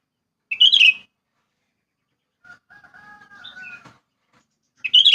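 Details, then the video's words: Sooty-headed bulbul from wild village countryside. A loud, bright chattering burst is followed by a quieter, drawn-out whistled phrase with a lower hum beneath. Another sharp burst comes at the very end. "Suara Alam Pedesaan Cucak Kutilang"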